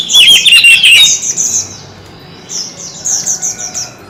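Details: Oriental magpie-robin in a fierce singing contest, a kept bird showing many voices: a loud run of high rapid chirping notes, then quieter high twittering repeated about three times a second.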